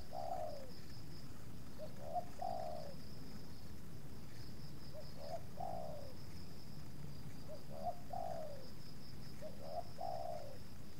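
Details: Spotted dove (tekukur) during decoy luring of wild doves, two wild birds approaching and the second showing some resistance. Four gentle phrases roughly every two and a half seconds, short lead notes running into a longer falling coo, with faint background hum.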